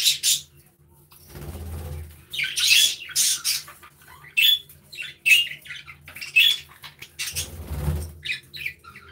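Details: Budgerigars chirping and playing in an aviary give scratchy squawks and short whistled chirps in uneven clusters. Low muffled thumps sound under two of the louder bursts.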